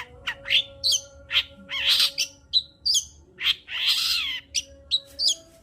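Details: Long-tailed shrike song played to stir a quiet shrike: a varied, busy mix of harsh rasping bursts, whistles and chattering notes, loud and dense throughout.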